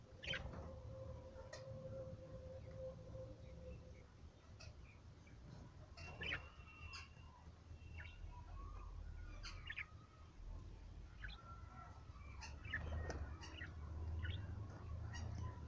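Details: Yellow and blue budgerigars give scattered short chirps and warbles over a steady low room hum.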